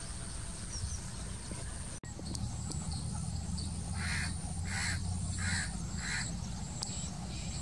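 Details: Tricoloured munia calling: a run of short, soft notes repeated about every 0.6 seconds, half-buried in steady loud background hiss and rumble.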